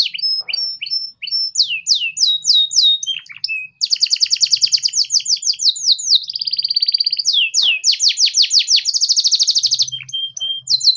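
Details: Canary singing the ngeriwik style to tutor young canaries: varied slurred whistles and steady notes, then a long rapid trill and a ringing buzzy phrase, with a faint low hum near the end.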